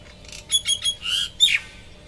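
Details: Bird singing on a balcony: a quick burst of high, squeaky chirps and thin whistles, a short buzzy trill, then a sharp downslurred note, all within two seconds.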